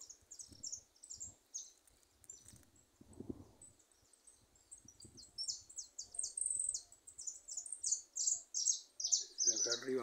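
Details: Loose goldfinches singing in a small wood, giving a long, rapid stream of high, sharp twittered notes that grows louder and denser, with some faint talk and rustling underneath.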